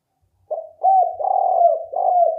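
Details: Spotted dove coo used to lure birds: a brief soft opening note, then hoarse rolling coos merging into a long vibrating phrase with drooping note ends, steady and loud.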